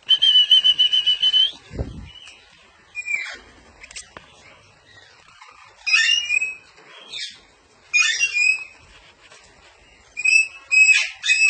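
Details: Parrot giving harsh, buzzy squawks in repeated bursts of about a second, loud and close, with quieter chattering notes between and a single low thump near the start.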